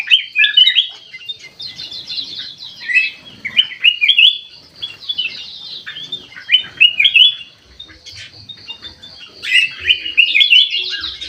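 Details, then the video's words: Golden bulbul with white eyes singing actively in an aviary: clusters of rapid twittering chirps and whistles separated by short quiet gaps, with faint low knocks. "KUTILANG EMAS MATA PUTIH SUPER GACOR"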